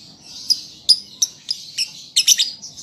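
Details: Young lovebird practising song: a series of sharp, high single chips roughly every third of a second, ending in a quick cluster of squeaky notes.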